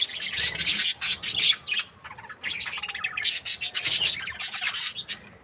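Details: Budgerigars of breeding pairs produce rasping, scratchy high-pitched chattering in two long runs of dense, overlapping chirps with a short break between them.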